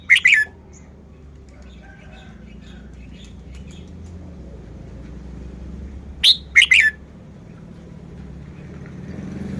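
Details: Red-whiskered bulbul in a cage singing short bursts: a quick warbled note pair at the start, then a long quiet gap with low background hum, then a brisk three-note phrase.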